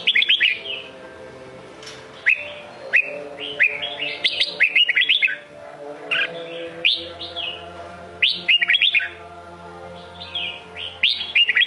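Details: Red-whiskered bulbul of the Sông Kôn type singing: quick bursts of bright, warbled whistles that rise and fall, delivered in short phrases about every half second to a second, with a faint steady low hum underneath.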